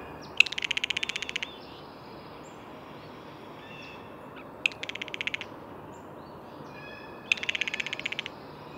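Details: Blue jay calling: three bursts of rapid, dry, buzzy clicks, each about a second long, spaced roughly three seconds apart, with faint thin whistles of other birds between bursts.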